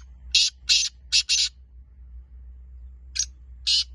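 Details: Black francolin giving harsh, grating bursts in a quick series of four, a pause, then two more spaced notes, over a low steady hum.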